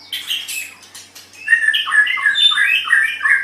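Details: Pet-shama training recording of white-rumped shama song. Harsh rasping notes open, then a dense, rapid run of bright chirping and warbled whistles, with a faint steady hum in the background.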